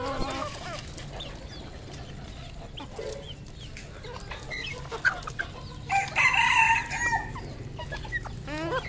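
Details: Red junglefowl kept as a captive decoy bird, calling over a dense chorus of short chirps and peeps from many birds; one loud, harsh, harmonic crowing burst of about a second stands out near the end.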